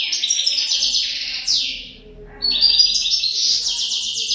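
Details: European goldfinch pair: dense high twittering and a downward buzzy slur, a brief dip, then another lively tinkling phrase.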